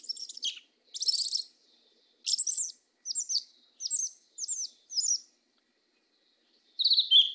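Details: Southern 'mateiro' style song of a black Yellow-legged Thrush: dense squeaky trills, then a string of short high twittered phrases spaced about half a second apart, a quiet gap, and a final whistled note.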